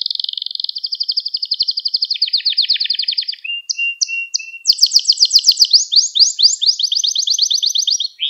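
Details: Canary song from a training recording meant to teach young canaries to sing: rapid repeated trills of high notes, shifting through several tours, with short whistled notes and fast sweeping syllables toward the end.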